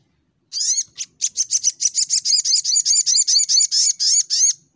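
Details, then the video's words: Little Spiderhunter (sogok ontong) in fighting mode, firing off 'nembak' song: a loud, sustained, rapid series of about twenty high, sharp, down-slurred notes repeated several times a second without pause. "Burung SogokOntong N3mbak Full Fighter"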